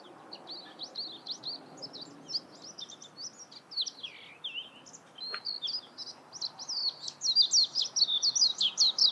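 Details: High, twittering notes of a warbling white-eye, soft and scattered at first, then building into a loud, rapid jumble of squeaky, zigzag phrases toward the end.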